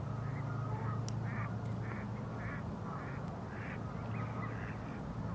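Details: Common goldeneyes during courtship display give croaking calls: short, harsh, buzzy notes in an irregular series, about two a second, over a steady low rumble of wind or water.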